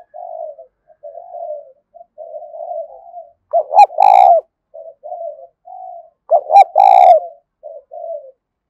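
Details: Provoking song of a spotted dove, used to lure wild doves to fight a decoy bird. Quiet rolling coos with two loud, stuttered-then-sustained phrases roughly three seconds apart.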